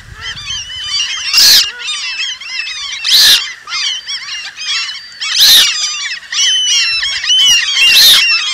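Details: Eurasian coot flock of the Asian population: dense, overlapping nasal calls throughout, with four sharp, loud bursts standing out at irregular intervals.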